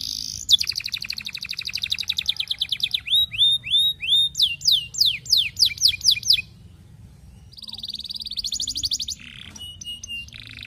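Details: Canary singing a long courtship song to a female, meant as a lure to set other canaries rolling: a fast trilled roll, then series of downslurred and upslurred whistles, a short pause, and further bright trills.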